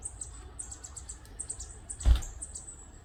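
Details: Northern parula fledgling at Lettuce Lake Park, Tampa, Florida, on May 2, 2022: thin, very high chips in quick, uneven series, with one brief louder thump near the middle over a low, steady rumble.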